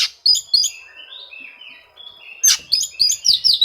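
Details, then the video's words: Oriental magpie-robin song for seeking rivals, used to goad silent birds into singing: sharp high notes, a softer descending warble, then a fast burst of bright chips. "suara kacer mencari musuh, cocok untuk memancing kacer susah bunyi."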